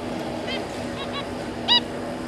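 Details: A zebra finch pair with their three juveniles, recorded 26 May 2022, give four short, nasal, toy-trumpet calls in two seconds, the last the loudest, over a steady background hum.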